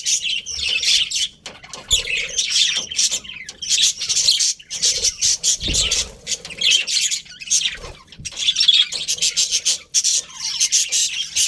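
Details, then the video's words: Colourful budgies in a breeding colony keep up long, lively chatter: rapid high chirps and scratchy warbles in waves, short pauses between bursts, with occasional low knocks. "Colourful Budgies Chirping Sounds"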